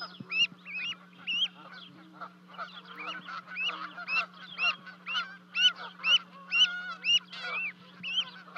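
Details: Canada goose parents and two goslings at a 30-foot osprey nest in Charlo, Montana, 12 May 2020, livecam; a rapid series of rising-falling honks, roughly two per second, with softer overlapping calls and a constant low hum.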